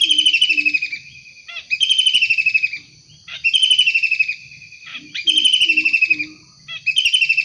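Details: Wild long-tailed shrike calling repeatedly with loud grating rattled bursts, each slightly falling, interspersed with short clicks and low soft hooting notes from another bird.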